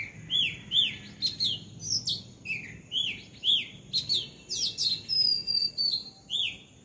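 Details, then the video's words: Bulbul perched on a house roof, calling in quick bursts of bright, arching whistled chirps, several notes per second with brief pauses, some overlapping high thin tones. "Bulbul Bird in my house roof"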